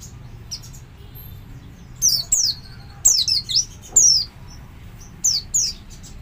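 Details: Oriental white-eye double lure call, used to draw other white-eyes into joining in. Thin, high notes slide downward, mostly in pairs, in scattered bursts separated by short quiet spells.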